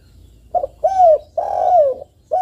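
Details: Close Spotted dove calling in top form, a lure to make other doves respond: a short coo, an arched note, then a long burry croo sliding downward, with another coo starting at the end.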